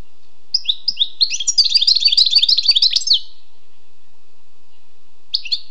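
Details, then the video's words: Wild European goldfinch opens with a few separate chirps, then a rapid, jumbled twittering phrase of high notes lasting about two seconds, followed by silence and a final chirp. "Écoutez et appréciez le doux chant du chardonneret sauvage"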